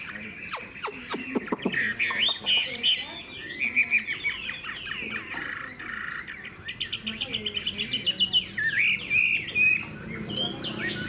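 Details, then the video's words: Pet Hwamei with a spread tail in its cage gives bursts of bright whistled notes and rapid trills between sharp clicks and knocking sounds, with faint low voices in the background. "Họa mi đuôi xòe, thái độ tốt, giọng hay"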